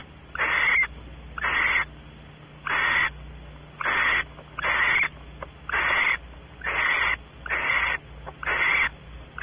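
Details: Barn owls at Audubon Starr Ranch, California, inside a nest cavity: male exploring while the female expects mating. Harsh, hoarse hissing screeches, each about half a second, repeated roughly once a second with short gaps, over a faint low hum.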